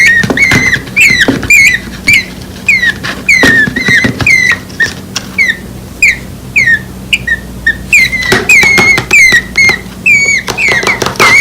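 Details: Two tiny nestlings, under a week old, moved to the ground when workers trimmed palm trees, call for their mother: sharp, downslurred chirps repeated rapidly and irregularly, with clicks and a low steady hum behind.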